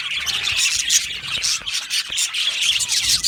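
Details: Happy budgerigars in an aviary colony, a dense chorus of high, scratchy chirps and warbles overlapping without pause, with brief sharp squawks rising above the steady chatter.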